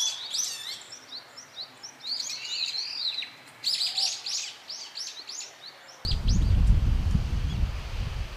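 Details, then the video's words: Noisy brown-eared bulbuls eating nectar in a flowering cherry tree in Japan give repeated high, slurred squeals and chattering notes; a loud low rumble covers the last two seconds. "Bulbuls making noise in the cherry tree. 桜の木で騒ぐヒヨドリ"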